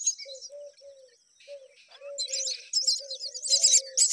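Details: Young mynas fed by a parent bird: sparse low hooting notes at first, then loud scratchy high-pitched begging chatter that swells toward the end.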